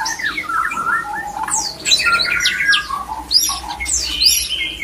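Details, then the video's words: White-rumped shama cock delivering mating song to excite other shamas into breeding: warbling low whistles give way to bright upslurs, short buzzy notes and clear sustained whistles, with a faint hum beneath. "JAGONYA MENGAJAK MURAI LAIN IKUT BIRAHI AMPUH MEMANCING BIRAHI PASANGAN MURAI"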